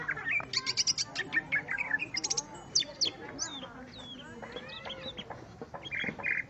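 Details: Greater green leafbird singing against a rival: quick high trilled bursts and stacked sharp notes, followed by slower slurred whistles and a couple of short harsh buzzy notes near the end.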